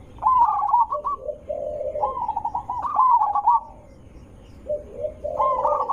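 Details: Zebra dove song used to coax other zebra doves into answering: bright stuttered coo phrases with lower rolling coos woven in, two cooing lines overlapping, a quiet gap, then the phrase starting again.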